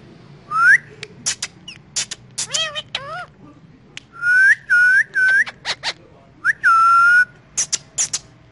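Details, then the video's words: Pet ringneck parrot in the morning, giving loud looping whistled notes, some rising and some falling, in short bursts, with sharp clicks between them and a low hum in the background. "Ringneck Parrot Morning Time Sounds"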